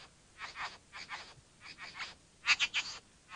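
Harsh, hissing rasps from a bowerbird, about six broad scratchy bursts roughly half a second apart, ending in a louder cluster of three.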